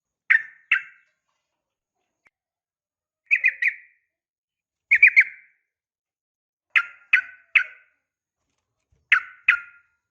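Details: Female yellow-vented bulbul calling the male: short clusters of two or three sharp chirps, repeated every two seconds or so with silence between them.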